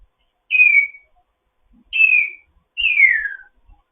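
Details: A foster African grey parrot whistling during its morning chat, three clean high whistles, each sliding smoothly downward, the last longest, spaced over roughly a second apart in a quiet room.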